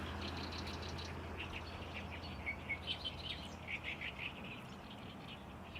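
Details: In May among lakeside reeds at Lake Biwa, a great reed warbler belts out a powerful song of grating, croaky notes, repeated roughly three times a second with uneven rhythm, against a faint hum.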